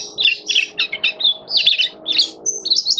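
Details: Kitaro-type Oriental white-eye singing in a cage: a series of short, high, bursty chirps and buzzy twitters in quick clusters, with a thin steady whistle near the end.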